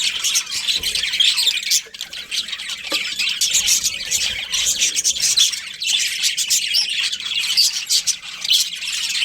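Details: Two breeding budgies produce a flowing babble of thin, high chirps and scratchy warbles, nearly continuous, with a brief lull near the two-second mark.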